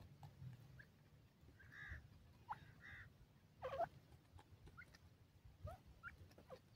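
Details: Grey francolin chicks playing and exploring their surroundings: soft, short chirps and curved peeps, some doubled, heard now and then over a low rumble and clatter.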